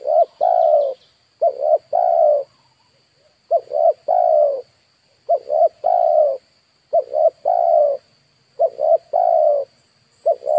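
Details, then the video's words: Decoy spotted dove calling to attract wild birds. It gives about seven three-part coo phrases, each a quick double coo followed by a long mellow note, spaced roughly every one and a half seconds. A thin constant hum sits underneath. "DERKUKU/TEKUKUR PIKAT DI HAJAR BURUNG LIAR"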